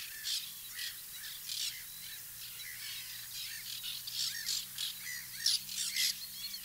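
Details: Rasping squawks of white-winged terns at a nesting colony mix with lower, slurred caw-like notes from other birds calling nearby.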